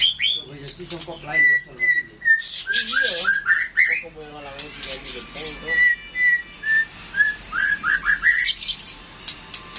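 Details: White-rumped shama (murai batu) in classic song: clear whistled notes, a series of short rising slurs and warbled phrases repeated in bursts, some scratchy broadband notes, loud and close.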